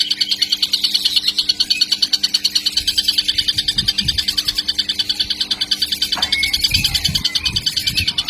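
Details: A juvenile kingfisher chatters nonstop, with sharp high notes at a rapid, regular pace of about three per second, a few faint low knocks midway, and a constant quiet hum.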